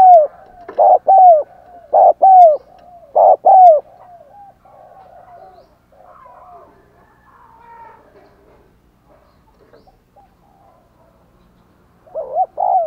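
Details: Decoy spotted dove coos to attract wild doves. Three loud paired coos open the recording, then a long quiet stretch of faint softer calls, and a final coo returns at the end.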